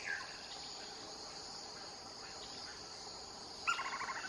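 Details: Lineated woodpecker (Dryocopus lineatus) at Reserva Privada Surucuá, Misiones, Argentina, gives a quick run of about six loud, ringing notes near the end, fading slightly, over a steady high insect drone.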